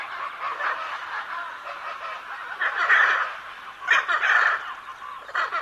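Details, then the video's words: Rough, overlapping macaw squawks, mostly steady raspy chatter broken by a few louder harsh shrieks near the end. "Arara Cantando"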